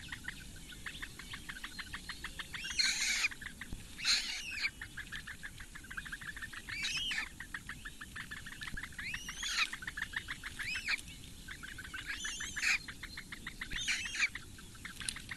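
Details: Four Eurasian bittern chicks at a reedbed nest on Lake Engure, Latvia, fed by the female in May morning; fast trains of short ticking begging notes broken by louder, harsher rising squeals every second or two.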